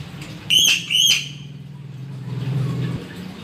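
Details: Crow giving a pair of strong, ringing whistled notes about half a second apart, followed by a low hum of background noise.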